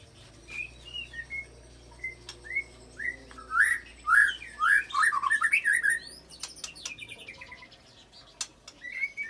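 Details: White-rumped shama filler song mixing cililin and long canary rolls, played to provoke rival shamas into full song: sparse rising whistles at first, then a loud burst of rapid swooping whistled phrases, ending in scattered chirps and clicks.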